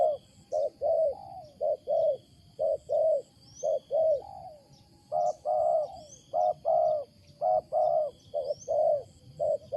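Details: Wild spotted dove, loud and unusual in its cooing: brisk repeated soft coos, some ending in a downward slur, about one per second, with faint distant twitters.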